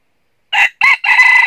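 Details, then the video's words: Crowing red junglefowl from a trapping setup in northern Vietnam, where decoy birds lure wild junglefowl. Silence, then a loud, hoarse, three-part crow: short burst, brief gap, a rising-falling note, then a long sustained final syllable. "Bẫy Gà Rừng Gà Mồi Chơi Cánh Dụ Quá Hay"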